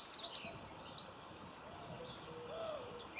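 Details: Common linnet close up in a Cornwall garden, 26 November 2015; three quick bursts of high, rattling twitters, with soft dove cooing low in the background.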